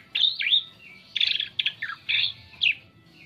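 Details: An Asian pied starling sings a varied lure song for attracting other birds: bright slurred whistles, a falling note, and short chattering phrases spaced by brief quiet gaps.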